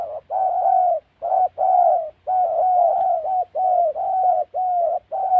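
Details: Spotted dove heard while trapping in the wild Central Highlands forest of Gia Lai, Vietnam, giving close, near-continuous mellow coos, short and long notes run together with only brief gaps, and a faint low hum beneath.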